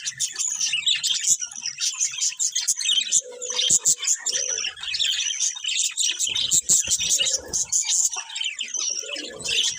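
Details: Colourful budgies keep up a continuous flock chatter: rapid high chirps, clicks and warbled twitters overlapping without a break for ten seconds.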